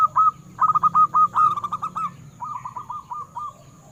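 A zebra dove gives rapid runs of short, soft, staccato cooing notes, a bright burst and then a quieter run, over a faint steady high whine.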